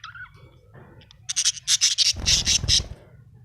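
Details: A happy budgerigar makes a rapid run of about ten sharp, high chirps, roughly five per second, with low rumbling noise under the later notes.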